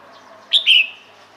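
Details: Two-part whistled call from a female red-whiskered bulbul calling males: a short bright note, then a longer slurred note that fades, against soft background noise.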